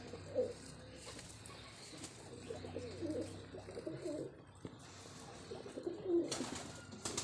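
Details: Domestic pigeons being fed vitamins and medicine coo indoors in low, rolling, repeated murmurs, with a steady background hum and occasional knocks.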